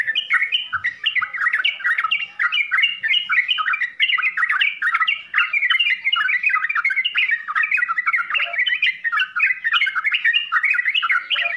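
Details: Yellow-vented bulbul (trucukan) in full-isian song: a continuous, dense chatter of rapid warbled notes that keeps going without a break.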